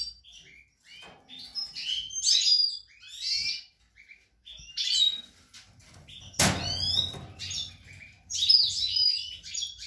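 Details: European goldfinch in a breeding cage in late March 2020: rapid tinkling, twittering song in bursts, with a loud sharp clatter midway and low background rumble.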